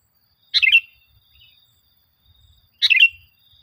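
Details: Sooty-headed bulbul lure song for caged birds: two quick bright chirpy phrases about two seconds apart, near silence between them.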